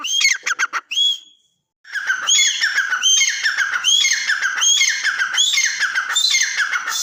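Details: Partridge giving a brief burst of harsh notes, a short silence, then a long continuous run of overlapping rising squeals and chattering calls.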